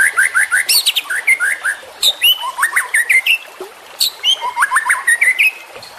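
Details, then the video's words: Juvenile white-rumped shama in dense song, mixing repeated short upslurred notes with high sharp chips and quick rising phrases. Several whistles overlap closely throughout. "MASTERAN Trotolan Murai Juara Supaya Cepat Rajin Bunyi & Gacor"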